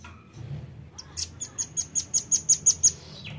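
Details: Velvet-fronted nuthatch, used as a lure sound, giving a fast run of about ten sharp, very high chipping notes, several per second, over a faint low rumble.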